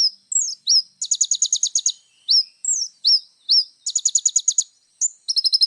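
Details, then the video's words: Little spiderhunter singing actively in full 'isian' style for tutoring: thin down-slurred whistles alternate with rapid, high, rattling trills of under a second, repeated in a lively mixed pattern. "SUARA BURUNG KOLIBRI NINJA GACOR FULL ISIAN"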